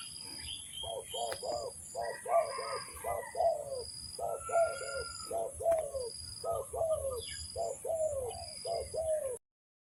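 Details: Spotted dove call used to lure birds for trapping: a run of low, soft, slightly descending coos in quick repeated phrases, with faint higher chirping birds and a constant high background hiss.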